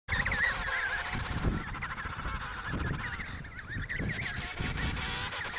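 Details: Wild emperor penguins at the Riiser Larsen colony, Antarctica, 72°06 S 15°06 W, in November 2010: wavering, warbling trumpet calls rise and fall over steady low wind rumble, with several birds calling at once.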